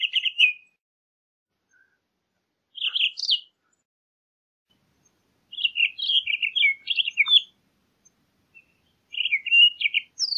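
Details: Brief bursts of bright warbling from a Townsend's solitaire, one longer phrase of rapid chattering notes in the middle, with silent pauses in between.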